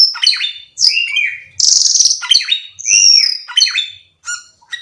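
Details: Black-winged myna song of sliding whistles, harsh squawky notes and a drawn-out buzzy rasp, with softer scattered notes at the end.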